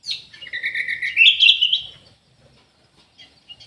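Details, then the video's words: Orange-headed thrush in an aviary, singing actively: one sweet warbled phrase of quick, repeated whistled notes lasting about two seconds. The notes climb slightly in pitch, then a few faint notes follow. "ANIS MERAH GACOR"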